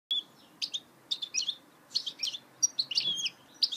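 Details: Goldfinch hybrid (mule) singing: short bursts of bright, high twittering and chirped notes separated by brief pauses, with some notes sliding down, in a quiet setting.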